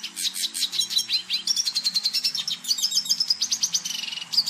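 A red siskin sings a rapid, high twittering song of buzzy trills and thin whistled notes, running continuously without pause.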